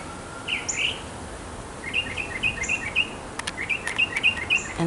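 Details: A male mockingbird courts a female from a backyard with a string of short repeated notes at even spacing, opening with a couple of whistled slurs, plus a few sharp clicks near the end.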